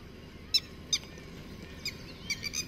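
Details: Red-wattled lapwing in Rajaji park, India, at daybreak, an adult with four small chicks, leading them to cover: six sharp, high, ringing notes spread irregularly over three seconds over a steady low engine-like rumble.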